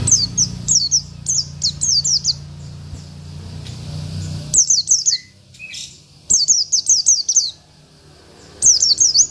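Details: Oriental white-eye of local stock singing to goad rivals, delivering repeated bursts of shrill, rapid downslurred chirps with brief pauses between phrases, over a steady low hum.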